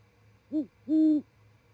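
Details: Great horned owl calling at a perch in Charlo, Montana, at 07:25, one of a pair exchanging calls before roosting for the day. A short clipped hoot is followed by a longer, steady, deep hoot, over faint electrical hum.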